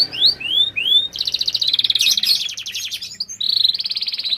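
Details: Canary in lively song: three rising whistled slurs, then a fast buzzy rattling trill, a brief pause, and further sustained high trilled phrases.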